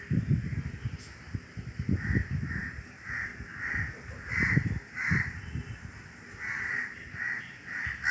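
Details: Crows heard with the wind: a long series of harsh caws, roughly one or two per second, over gusty low rumbling wind noise.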